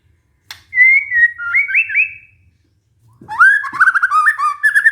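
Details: White-rumped shama song used as a lure for stressed caged birds that have gone silent; clear whistled notes step up and down, a pause, then a richer warbled phrase with rising slurs.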